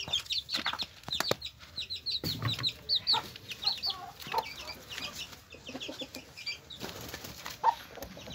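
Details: A hen with her chicks, the chicks giving rapid high cheeping notes in bursts, joined by occasional lower clucking from the hen and some tapping and rustling.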